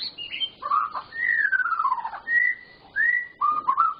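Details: White-rumped shama in very active song full of varied phrases, used to prompt silent shamas to sing: clear whistled notes, a long slurred whistle gliding downward, then short rising whistles with brief pauses between phrases.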